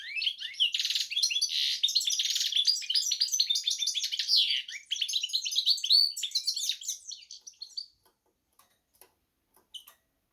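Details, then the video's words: Goldfinch and canary hybrid singing a rapid, dense twittering song of buzzy trills and sharp chirps for about eight seconds, then falling silent apart from a few faint ticks. "hybrid Carduelis x Canary"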